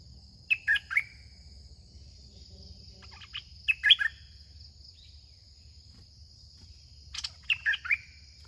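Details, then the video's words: Red-whiskered bulbul singing on and on while attacking a caged decoy bird during trapping; three short bursts of lively, chattering, warbled notes spaced a few seconds apart, with a steady high-pitched hiss in the background. "ต่อนกกรงดอกแตง (เจ้่าช้าง) 38. ร้องเรื่อยๆบุกใส่เต็มๆ"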